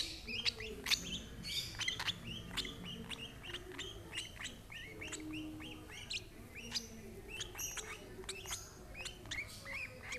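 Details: Lovebird being fed by an older sibling of the same parents; a long, busy stream of short, sharp high chirps and squeaky notes, some overlapping, over a faint low background rumble.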